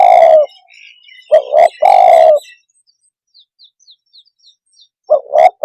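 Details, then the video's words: Spotted dove calling to provoke other birds, a long coo then a double coo and a long coo, with a series of soft, high chirps from another bird between phrases. "Suara kicau Burung TEKUKUR cepat membuat Emosi burung - TEKUKUR鸟的声音"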